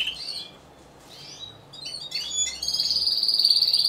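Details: Timbrado Español canary, category C2 individual, singing at a song competition and exhibition on 26 November 2015: a few high slurred chirps, then a steady, loud, pulsing trill that builds to the end.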